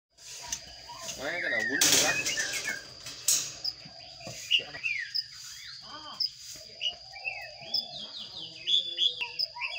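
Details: Sparrow chicks in a nest box being fed by a parent: a loud burst of dense, high chirps with stacked wavering notes early on, then scattered short tweets and squeaks, over a steady high hum and faint regular ticks.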